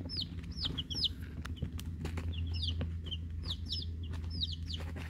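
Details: Week-old domestic chicks of Rhode Island Red and Black Sumatra breeds plus one unknown chick: repeated thin, falling peeps in bursts, some doubled, against a loud low rumbling background.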